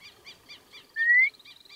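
White Monjita giving a single clear, slightly rising whistle, about a third of a second long, over a steady background of fast, rhythmic chirping.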